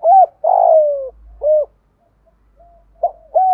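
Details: Spotted dove in the thổ and thúc styles, used to train decoy birds that coo too little: a hoot, a long buzzy descending coo and another hoot, then after a pause short notes begin the next phrase, with faint low rumble behind.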